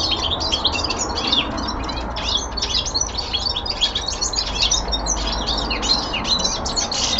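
Songbirds twitter and chatter without pause, a dense tangle of quick, high, scratchy notes and trills, likely several birds singing at once over a low room hum.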